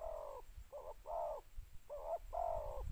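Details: Spotted dove used as a decoy, calling to lure wild doves in the two-note style, giving mellow, hollow coos in short and longer phrases, with gaps between bursts and low rumbling background noise.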